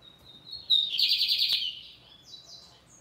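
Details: Lined seedeater in firm song, opening with a thin whistled note and bursting into a rapid, harsh buzzing trill about a second long, followed by fainter scratchy notes.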